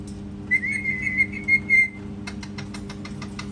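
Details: Parrot that copies cat noises gives a sustained level whistle with brief breaks, followed by a series of quick clicking taps, over a low indoor hum.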